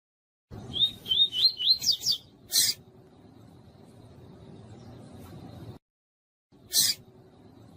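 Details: Double-collared seedeater female calls meant to stimulate a quiet male: a rapid string of six or seven rising whistles, followed by two loud broadband clicks and a low steady hum.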